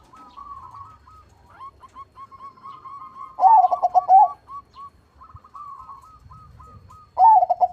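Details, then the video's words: Crossbred zebra dove (perkutut), an actively singing bird with a big voice. Two loud, throaty bursts of rapid rolling coos arrive about four seconds apart. Between them, a softer run of evenly spaced, short clipped coos continues at a steady pitch. "PERKUTUT CROSSING GACOR SUARA BESAR"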